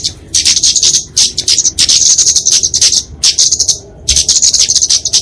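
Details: Flowerpecker (kemade) fighting song, used for training and luring small songbirds: dense bursts of very high, rapid twittering ticks, broken by short silences, with rattling chatter between phrases.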